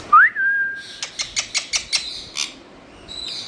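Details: Pet parrot, a mithu, giving one loud rising whistle that levels into a held tone, then a run of about eight short clicking notes and a few fainter high squeaks.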